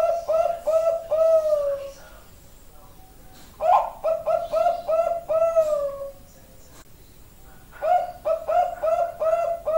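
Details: Champion Bangkok-type zebra dove, training recording: repeated phrases of quick low coos, each ending in a longer falling, drawn-out note, separated by short pauses; faint background noise.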